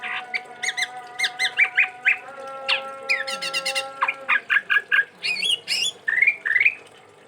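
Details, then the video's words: Chestnut-rumped babbler from Sumatra, a kept songbird, singing a busy varied song of short chattering notes, rising slurred whistles and rapid trills, with steady faint tonal hum behind. "Tepus Tunggir Merah Gacor"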